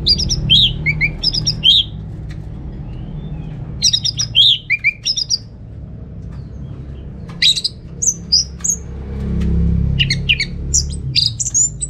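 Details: Home-kept orange-headed thrush from Singaraja, North Bali, used as a lure and tutor for other birds: two clusters of sharp, bright chattering notes early on, then after a gap a run of high, thin whistles and chips over low rumble.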